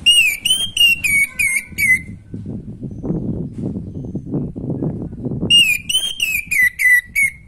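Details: Orange-headed thrush song for rousing birds short on breeding drive; two phrases of rapid, repeated clear whistles, falling slightly in pitch, bracket a pause filled with low background rumble.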